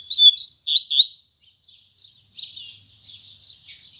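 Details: Double-collared seedeater (coleiro) singing firmly in the morning in the Tui Tui Zel Zel song style: four clear whistled slurred notes, then after a brief pause a dry buzzy chattering trill.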